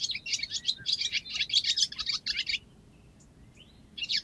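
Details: Barn swallow near Cincinnati, Ohio twittering: a fast, high, scratchy chatter of tumbling notes for over two seconds, a short pause, then one more brief burst.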